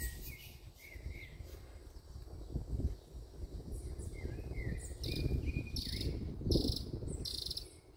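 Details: Rufous-browed peppershrike singing; clear whistled notes slurring up and down in short phrases, over a steady low rumble of background noise.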